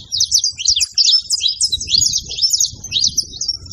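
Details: Saffron finch singing a fast, continuous run of sharp chirps and trills, clear and high-pitched throughout, with faint low rumbling underneath.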